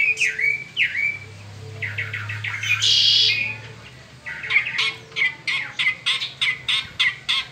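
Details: Peninsular mockingbird in spring delivering varied song: downward-sweeping whistles, a harsh buzzy burst, then a fast regular series of sharp repeated notes, with a low background hum.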